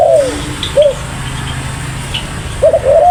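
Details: Tekukur, the spotted dove, in eager voice: a downslurred coo and a short arched note open, a long quiet stretch follows with only faint distant chirps, then a pair of hoarse coos close the phrase.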